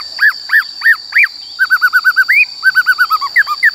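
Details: ['White-cheeked laughingthrush giving forest-style song for voice training of young and wild-caught birds: four loud arched whistles, then a rapid run of about a dozen even, rounded whistled notes, with a constant high-pitched whine behind.']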